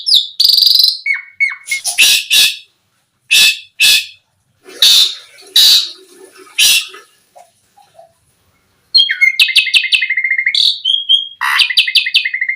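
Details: Asian pied starling singing, used as a lure to draw other starlings into song; loud harsh rasping bursts separated by pauses, then a fast run of repeated sharp chirps and whistled notes.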